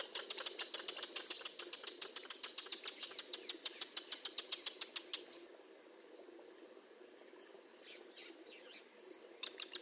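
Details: A wild Northern jacana, with a hatching chick and a male brooding chicks nearby, gives a fast, dry chatter of clicking notes for about five seconds, then a few harsh scattered calls, over a steady high insect hum.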